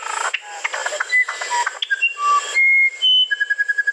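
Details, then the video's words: Cucarachero musical (musician wren) sings pure, clear whistled notes, each held steady at a different pitch, some sliding, after a burst of quicker jumbled notes, ending in a rapid run of short repeated whistles over constant high insect hiss. "SONIDOS del CUCARACHERO MUSICAL"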